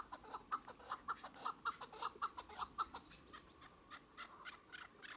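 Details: Several chukar partridges calling: a steady series of short, clipped notes repeated nearly twice a second, faint against a constant hiss of background noise.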